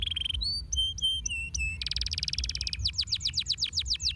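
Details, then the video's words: Domestic canary singing a varied phrase: clear whistled notes stepping between pitches, a buzzy fast trill, then a rapid series of descending sweeping notes, repeated several per second, with a low background rumble. "Le travail canarier est bon pour stimuler les ingrédients de sons d’oiseau"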